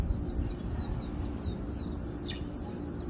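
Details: Chestnut munia (Mayang Pula) feeding, recorded 7 August 2022: many thin, high chirps and short downslurred tweets overlap in quick succession, sounding like several callers, over a steady low rumble of background noise.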